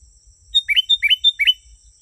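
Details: Authentic sooty-headed bulbul song meant to attract wild birds. One crisp phrase of about three paired notes, each a bright whistle dropping into a rich gurgling chirp, repeated in quick even succession over a faint insect hum.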